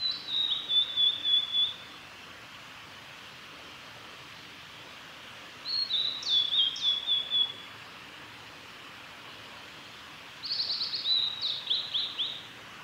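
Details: Male Blue-and-white flycatcher at Lake Miyagase, Japan, recorded 3 May 2020 along a forest road: three high whistled phrases, each under two seconds, ending in buzzy trills and spaced by pauses of about four seconds.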